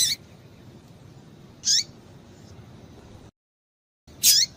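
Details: A female double-collared seedeater gives the call used to excite males into singing. Three sharp, high, downward-tailed chips are spaced more than a second apart, with a short stretch of complete silence between the second and third.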